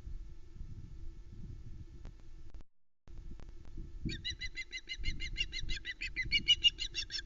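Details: Female osprey calling at the Loch Arkaig nest on 1 Sep 2020 as the male delivers a live flatfish, recorded by nest camera. From about four seconds, a rapid series of high, sharp, harsh chirps, many per second, over low rumbling nest noise and wing sounds.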